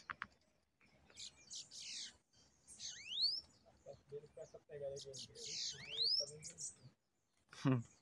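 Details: A pair of bananaquits challenging a caged bird at a trapping setup: repeated high hissing buzzes ending in rising whistled sweeps, over a man talking quietly.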